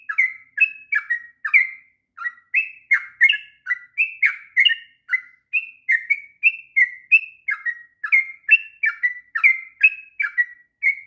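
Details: Sooty-headed bulbul singing tirelessly through a long song intended for tutoring young birds; about thirty bright, slightly buzzy whistled notes stream out over eleven seconds in an irregular bouncing rhythm, with few pauses.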